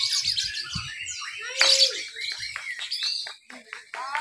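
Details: Lovebirds at a Lovebird B mixed-class singing contest in Papua, Indonesia, Sunday 31 October 2021, by an irrigation site; ngekek song given while clinging to cage bars. Dense high chattering chirps and buzzy trills, a loud burst mid-way, faint low voices.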